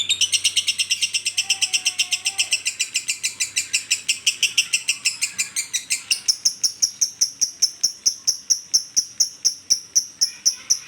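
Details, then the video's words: Lovebird singing in the koslet style: a rapid series of harsh, high chirps that turns into sharper, thinner clicking notes at a steady quick beat. "LB koslet/love bird"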